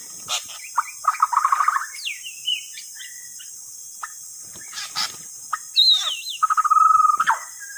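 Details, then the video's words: White-rumped shama song played as a lure, mixing harsh rattling bursts, sharp clicks and slurred whistles, ending with a steady run of fast repeated notes on one pitch. "KUMPULAN Pikat burung murai batu TERBAIK"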